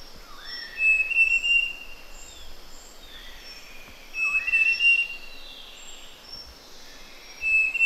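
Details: Large Niltava at Pha Hom Pok National Park, Doi Lang, Chiang Mai, Thailand, gives a short rising whistle then a few quick high notes, repeated about every three seconds over a steady forest-insect hiss.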